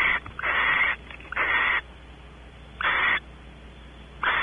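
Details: Male barn owl exploring a nest cavity at Audubon Starr Ranch, California, female expecting mating; four raspy hissing screeches at uneven intervals, the first preceded by faint broken flutters of noise.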